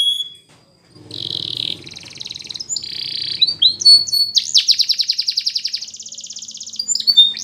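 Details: A canary sings for training use. It opens with a single high note and a brief pause, then dense buzzy phrases over a low hum, then a clear, rapid, evenly pulsed trill and a few high whistled notes.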